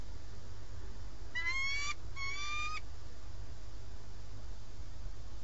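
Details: Nesting pair of peregrine falcons on a live webcam at Alcalá de Henares, Madrid, Spain, 4 March 2017, greeting each other in recognition: two strained, harmonic, upslurred wailing notes in quick succession, then only steady background hum.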